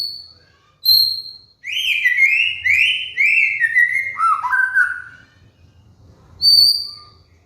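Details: Master song of a white-rumped shama for coaching molting cage birds: an isolated high whistle, then a rich flowing phrase of slurred whistles stepping lower in pitch, followed by a single clear high note.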